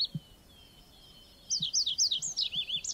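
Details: Red avadavat giving a quick burst of high, thin, twittering notes in the second half, each note a short sharp chirp sliding up or down, about a dozen in rapid succession, after a faint steady high whine and quiet background.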